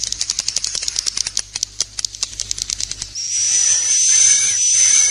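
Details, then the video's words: Swiftlet 'inap plus' roosting lure sound: a fast train of sharp, dry clicks for about three seconds, then a steady high, hissing, whistled twitter. "SUARA BURUNG WALET🐦 INAP PLUS"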